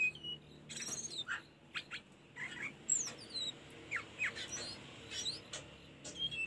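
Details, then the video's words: Tledekan gunung song from a master recording for training caged birds: scattered high chirps, short upward-sweeping whistles and clicks in quick uneven bursts over faint background hiss. "Mp3 burung telendekan masteran tledekan gunung"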